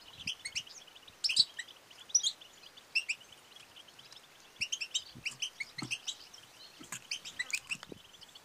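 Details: Female European goldfinch giving batbata and satsata twitter calls meant to stimulate males to sing and mate; quick high chirps in clusters roughly every second over a soft hiss, with a few low taps.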